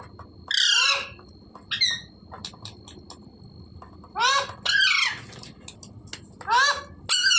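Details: Parrot calling in short bursts of harsh, buzzy, descending screeches, some in quick pairs, with softer clicks and squeaks in between and a steady faint high tone throughout.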